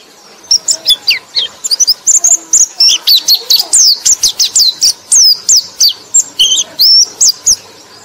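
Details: White-eye song used as a lure to stir sluggish white-eyes into singing: a fast, continuous run of very high, thin chirps and twittering slurred notes, densely packed and bright, with little background noise.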